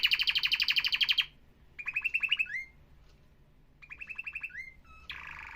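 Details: Canary singing rapid rolled trills separated by short pauses, each roll ending in a rising slurred note, then a dense buzzy phrase.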